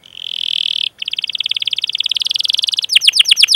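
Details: Canary lure song for young canaries: a sustained high whistle, a quick pause, then a fast buzzy roll ending in loud downward-swept chirps.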